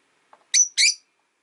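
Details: Pet rosy-faced lovebird, one of five caged by a window: a soft tap, then two loud, piercing chirps, the first slightly longer and ending in a thin whistled tail.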